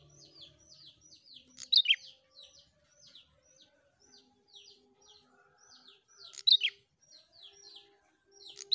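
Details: Prinia singing, used to prompt other prinias into song: a steady series of high, thin down-slurred chirps about two per second, broken by two loud sharp twittering bursts; faint low hum behind.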